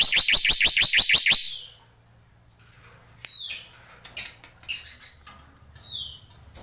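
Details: Black-winged myna, known locally as jalak pito or jalak putih, giving a tembakan: a rapid burst of about nine harsh, rising notes in under two seconds, then a pause and scattered thin whistles and short chips.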